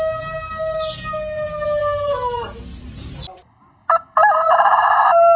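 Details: A farm rooster's loud, drawn-out crow ends with a falling tail. After near silence, a new crow starts with harsh, noisy notes.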